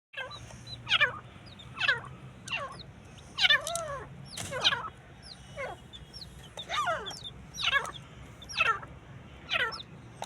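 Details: Partridges fighting: harsh, hoarse calls with sharply falling pitch, about one per second across ten seconds, some doubled, with faint high chirps of small birds in the background.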